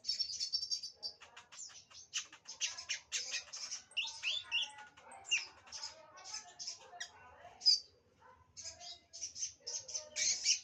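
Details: Sunbird, locally called kolibri ninja, singing a rapid, dense jumble of high, thin twittering and buzzy chattering notes with short squeaky trills, running almost continuously with brief pauses, against an otherwise quiet background.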